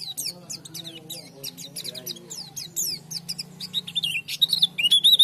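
Oriental white-eye song: rapid, high, thin twittering chirps tumbling several per second, ending in brighter wavering whistles, over a low steady murmur.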